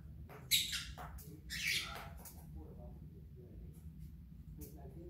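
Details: Indoor pet parrot on a destructive spree lets out two loud, raspy squawks in quick succession, the second longer, followed by quieter clicks and low room rumble.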